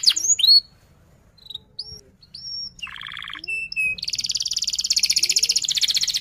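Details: Canary song meant as a lure for young canaries learning to sing. Scattered thin whistled chirps and brief slurs with pauses, a buzzy harmonic burst, then a long, dense, loud rapid rolling trill to the end.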